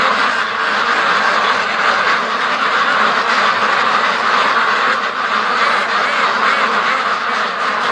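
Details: Big free-range duck flock hurrying along to the lake, a continuous dense chorus of overlapping quacks holding an even loudness throughout.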